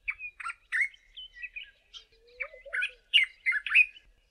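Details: Early-morning song of a male Dark-capped Bulbul perched atop a bush: a run of liquid, chattering whistled phrases, some rising, some falling, about ten short bursts with a faint lower whistle in the middle.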